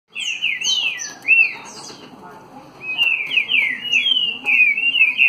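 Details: Caged Green-winged saltator, a trinca-ferro in the "60 boi" (dançarino) song style, singing face-on: loud whistled phrases of downslurred and rising notes, repeated in two bursts with a quieter gap between them.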